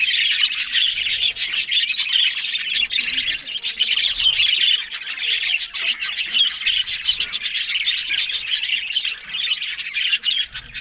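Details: Group of Australian budgerigars feeding on greens in the morning, overlapping high squeaky chatter and grating warbles running continuously, fading slightly toward the end.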